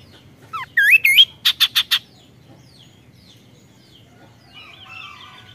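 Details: ["Kaso-kaso bird singing a 'tembakan' burst: a short falling note, two loud looping whistles and four rapid sharp buzzy notes, then quiet, with a softer warbled phrase near the end."]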